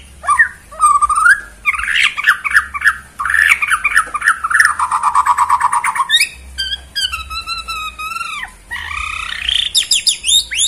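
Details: Bornean white-rumped shama, bowing display, singing at a rival: a long varied outpouring of rolling warbles, a churring descending trill, then clear steady whistled notes and rapid rising flourishes.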